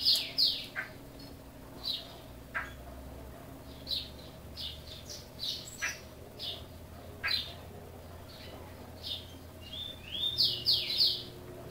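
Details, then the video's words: Song of a chopi blackbird kept in a cage, native to Brazil: a lively series of short, bright, high notes and quick slurred chirps, about three per second, opening and closing with dense bursts of clear, piercing notes. "Pássaro Preto Criôlo Canto e Gravação Autêntica e Relaxante"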